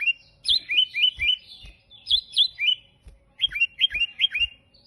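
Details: Sooty-headed bulbul in energetic, unusual-sounding song. Three bursts of four or five rapid, bubbly whistled notes rise and fall in pitch. The bursts are separated by brief pauses, about four notes per second within each phrase.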